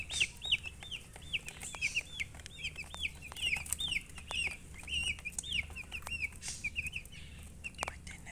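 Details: A group of baby chickens chirping steadily, with high, downward-sliding peeps that come in quick overlapping runs, along with scattered clicks, rustling and low hum.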